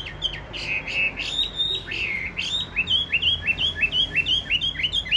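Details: Caged, tame Chinese hwamei with yellow legs and yellow bill, praised for its loud, fine voice: a run of clear whistled notes near one pitch, then a brisk series of short upslurred whistles repeated about three times a second.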